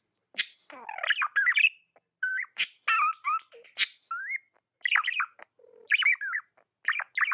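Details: Continuous budgie warbling of twittering chirps, sharp ticks and short whistled slides, with one low buzzy note, running almost without a break.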